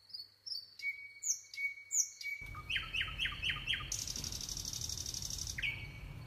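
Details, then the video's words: Nightingale singing: soft high whistles, a long steady whistled note, then a quick series of five downward-sweeping notes and a loud buzzy rattle, ending on another flat whistle, with a low background rumble. "nightingale singing"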